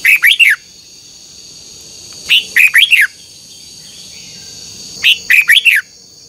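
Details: A red-whiskered bulbul sings at dawn for contest training; three matching phrases of four fast, rolling, whistled notes, repeated roughly every two and a half seconds above a steady electronic-like hum.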